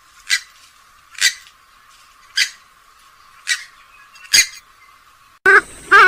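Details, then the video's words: Swamphen (Porphyrio) gives five harsh, rasping squawks at uneven intervals about a second apart, and a louder, different harsh sound cuts in abruptly at the end. "(SWAMPHEN BIRD) SOUND/CALL"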